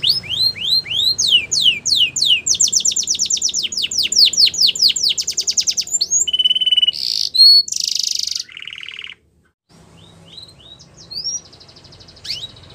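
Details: Yellow Belgian canary in the wild: rising arched notes build into a fast steady trill, then flat buzzy tones, a brief silence, and faint thin whistles resuming.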